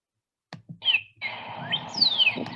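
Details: In a neighbourhood on a cold, windy March 19 morning, a Northern Cardinal sings clear, loud whistles sliding downward, one brief and one long sweeping slur ("whoop, whoop, what year"), over steady background hiss.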